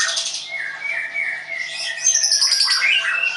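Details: Caged white-rumped shama (murai batu) kept at a bird training school in Tangerang, Indonesia, singing: long clear whistles sliding gently up and down, then a rush of bright, rapid high twittering and trilled phrases in an indoor room.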